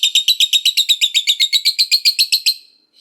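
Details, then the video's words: Lovebird in lively 'gacor' form, a fighter lovebird giving its long 'ngekek' chatter, used to prompt other lovebirds to answer: a fast run of harsh, high, evenly spaced chattering notes, about seven per second for two and a half seconds, then trailing off. "Pancingan Lovebird Gacor Gak Mau Diam, Suaranya Bikin Loverbird Bahan Dengar Langsung Nyaut Bunyi"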